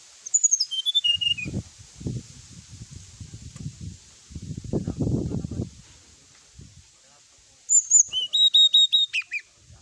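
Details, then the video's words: Brown-chested jungle flycatcher song played to provoke rival birds into a quick, agitated response: a run of high whistled notes stepping downward opens, and a later burst of sharp whistles falls in pitch. Low rustling and scraping noises fill the middle. "suara pancingan srdc agar lawan cepat emosi gacor,auto langsung cepat respon"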